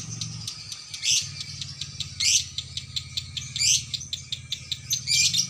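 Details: Female lovebird caged at a bird shop, singing a long continuous konslet song: rapid high ticking chatter punctuated by four loud, harsh, buzzy bursts a little over a second apart, above a low hum.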